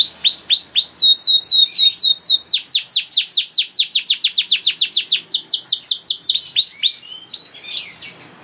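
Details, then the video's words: Canary song meant to tutor young canaries, fast bursts of descending whistles building into a long rapid roll of repeated notes, ending with a few scattered higher chirps. "KENARI GACOR PANJANG CENGKOK ISTIMEWA COCOK BUAT MASTERAN KENARI PAUD || VOICE OF CANARY"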